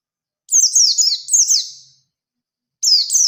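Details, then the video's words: Lively Oriental white-eye singing to challenge a rival bird: a phrase of rapid, high twittering with downward slurs lasting about one and a half seconds, a pause, then the start of another burst. "Burung PLECI GACOR Ngalas Ngerol Nembak Mencari Lawan | Pancingan Pleci Cepat Nembak"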